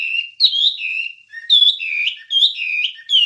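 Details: Wambie singing, a master recording for teaching caged songbirds: sustained clear whistles alternating with rising and falling slurred notes in short phrases about every second.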